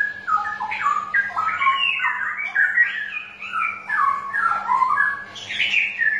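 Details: Lure recording of a straw-headed bulbul for birds that will not sing: rapid, liquid, tumbling warbles in rich bubbling phrases, ending with a higher, brighter flourish, with a low steady hum in the background.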